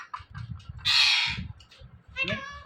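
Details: Indian ringneck parrot talking, mimicking the word "Mithu": a loud, harsh, broadband burst lasting about half a second, then a shorter nasal harmonic syllable, with low background rumble throughout.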